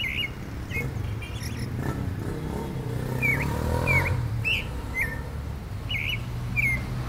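A clay-colored thrush gives short, slurred whistled notes, some dipping and some rising, every half second or so, over a steady low rumble of traffic.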